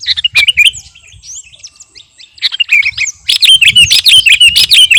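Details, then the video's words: Caged sooty-headed bulbul of the garuda type in lively song, presented as ready for competition. Soft scattered chirps build into a loud, rapid run of bright repeated notes in the second half. "KUTILANG GARUDA GACOR..!! SIAP TEMPUR KICAUAN"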